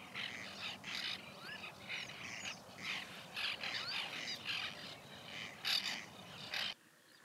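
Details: White-winged terns at a nesting colony during the 2021 breeding season: harsh, rasping broadband calls in rapid overlapping bursts, about two per second, with a steady rustling background.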